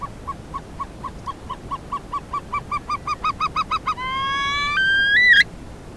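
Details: Himalayan snowcock, a gregarious bird regrouping on a crest at about 3,400 m each evening, Sarychat-Ertash reserve, Kyrgyzstan, 2016, calling to keep contact: a run of short whistled notes quickening and rising, then a long whistle stepping upward.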